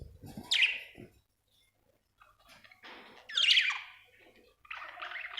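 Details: Australian budgie chirping: three separate bursts of sharp, scratchy chirps with quiet gaps between them and faint low knocks near the start.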